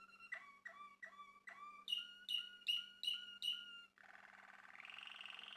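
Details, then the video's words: Male Malinois Waterslager canary, a Turkish breeder's bird, singing in captivity: repeated descending water-like notes about every third of a second, then brighter whistled notes, ending in a fast bubbling warble. "Malinua Kanarya Sesi Ve Ötüşü | Malinois Waterslager Canary Singing"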